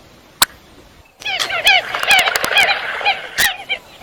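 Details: Common coot calls: one sharp click, a brief pause, then a busy overlapping chatter of nasal, bouncing notes and clicks from several birds.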